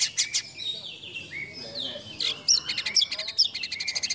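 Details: White-rumped shama competition song with fill-in phrases: loud slurred whistles and warbles give way to fast rattling chip series punctuated by sharp high accents, set against a noisy background.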